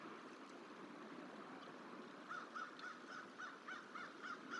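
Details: Crow calling at the Decorah hatchery on 29 January 2023 while protesting and trying to drive off a juvenile bald eagle eating in a tree, caught on a live bird cam; after two seconds of steady background rush, about eight short harsh caws arrive in a quick, fairly even series.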